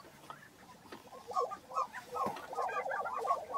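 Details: Lesser prairie-chickens on their April lek at Hoeme Ranch, Kansas, building into a dense run of rapid, bubbling cackles that grows louder through the second half.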